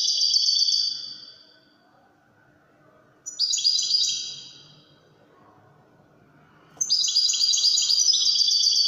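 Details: European goldfinch singing in the widani song style: three bursts of bright, high tinkling twitters, the first fading out, then a pause of over a second before the next phrase and a livelier run at the end.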